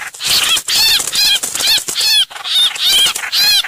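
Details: Nearly continuous scolding chatter from a streak-eared bulbul, a hoành hoạch lure call of loud, raspy arched notes repeated rapidly.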